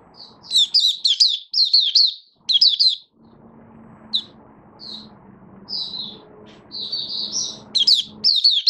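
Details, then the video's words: Malaysian Oriental white-eye, a caged hobby songbird, singing in open 'buka' style: bursts of high, rapidly warbled notes, then a pause with faint low background hum before thinner single chirps and renewed warbling. "Malaysian Mata Puteh - Buka Sing"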